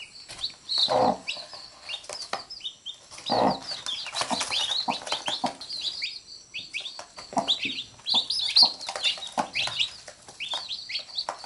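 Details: Hen with her brood of chicks, the chicks nipping at her and the mother picking them up; continuous shrill falling peeps from the chicks, broken twice by lower, throaty clucking from the hen, plus scratching noises.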